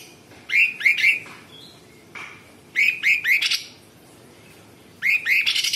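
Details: Energetic Sooty-headed bulbul song with sharp 'tembakan' phrasing. Three quick rising whistled notes open each burst, followed by a harsh rasping flourish. The phrases recur about every two seconds with quiet gaps between them.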